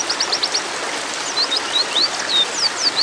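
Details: A female white-eye, in breeding condition and calling males, gives a quick cluster of short high ticks, then separate thin downslurred whistles about every third of a second, over background hiss.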